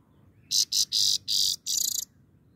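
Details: Grey-crowned goldfinch singing: five short, dry, buzzy bursts in quick succession, each high and harsh, the last one slightly rattling, over a quiet low background hum.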